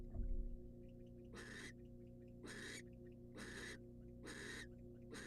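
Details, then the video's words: Wild female barn owl in a nest box, getting a rat from the male: a thump, then four harsh, hissing screeches about a second apart. "Watch A Female Barn Owl Get A Rat From The Male And Be So Happy She Swallows It After 6 Minutes!"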